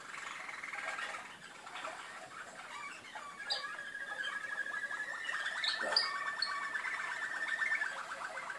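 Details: Malinois canaries in Skopje giving a low, continuous song of rapid rolling trills and tours, with a steady pulse of notes running for several seconds and faint clicks in the background.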